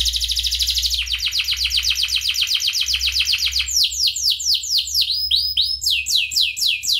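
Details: Canary singing as a training model for other birds: a buzzy high trill, then a long run of rapid repeated notes, then loud falling slurred whistles in quick succession.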